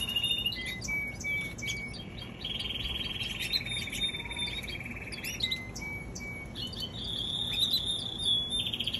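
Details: Young canary singing sharp chirps, then steady rolling trills held for a few seconds, breaking into varied short notes and closing with a high fast trill.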